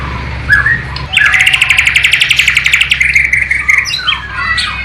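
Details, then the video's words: Bornean white-rumped shama in East Kalimantan performing song laced with sikatan londo flycatcher and nightingale mimicry, recorded on a low-resolution camera. A brief whistle, then a long, loud, rapid buzzy trill, ending in descending whistled slurs. "MURAI BATU BORNEO ISIAN " SIKATAN LONDO / NIGHTINGALE ""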